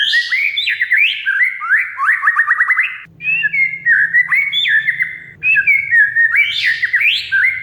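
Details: Kacer, the oriental magpie-robin, singing in full gacor style, a lure for a mute bird: rapid whistled phrases with quick chattering trills and rising slurs, continuous and varied, a low hum under the second half.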